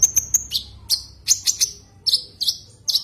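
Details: Rival-directed call of a common iora: three quick high ticks over a thin whistle, several loud downslurred chirps, then three evenly repeated V-shaped whistled notes about every half second.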